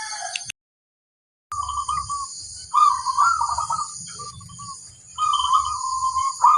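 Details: A female zebra dove in the wild gives rolling trilled coo phrases in several bursts, with a steady high whine, a low rumble and a brief silent gap.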